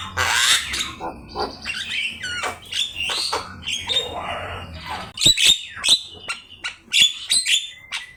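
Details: Javan myna, known locally as jalak kebo, singing 'gacor' as a training master recording for songbirds: grating squawks and buzzy chatter give way to sharp, clear whistled notes repeated in quick, uneven bursts.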